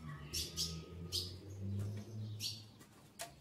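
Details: Female ultramarine grosbeak calling to solicit mating while ready to breed. Several bright, clipped high chips come in quick pairs and singles, over a low rumbling hum and faint background murmur.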